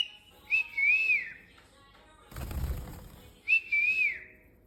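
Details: A pet cockatiel being taught to whistle gives two clear, high whistles, each gently wavering up and down, about three seconds apart, with a brief burst of rustling between them.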